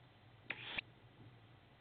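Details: A young tawny owl at a window in Estonia on 8 May 2016 gives one hoarse, wheezy hiss of about a third of a second, high and breathy, against a quiet background.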